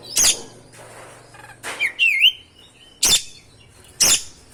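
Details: Oriental magpie-robin in lively ngerol-style song used to provoke and agitate other magpie-robins: sharp broadband clicks and chips, plus a clear whistled note sliding down and levelling off, with bursts spaced about a second apart.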